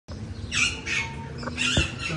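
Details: Bonded adult pair of Triton cockatoos in Islamabad give several harsh raspy screeches, each under half a second, over a steady low background rumble.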